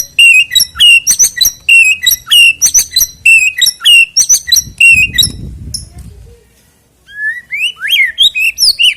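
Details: White-rumped shama singing, played to prompt a contest bird to sing before competition: rapid repeated whistled and clicking notes, a brief soft rumble, then rising slurred whistles after a pause.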